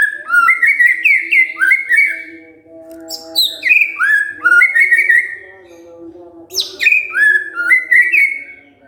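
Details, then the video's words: Provoked white-rumped shama singing back with loud, melodious whistled phrases, short sliding notes strung in rapid bursts with brief gaps, over a steady low drone. "tidak nyampe 3 menit murai TERPANCING emosinya, nyaut GACOR"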